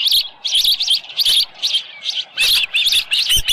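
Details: Osprey calling at its nest on a July 2018 morning around 6:52 AM, with a headless fish present; sharp, high chirping notes come in quick, uneven runs, several per second, with brief pauses between bursts.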